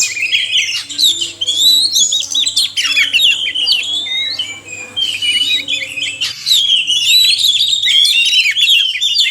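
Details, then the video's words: Male and female oriental magpie-robins singing, used as therapy to make captive birds sing: harsh squawky notes mixed with whistles and chatter, a sudden cut partway, then continued loud warbling. "suara kacer/sekoci jantan dan betina merangsang bunyi"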